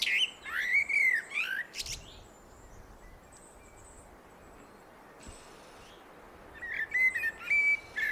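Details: Blackbird song: an opening phrase of arched, fluty, mellow whistles ending in a sharp high squeak, a long pause with faint distant chirps, then a second warbled phrase near the end.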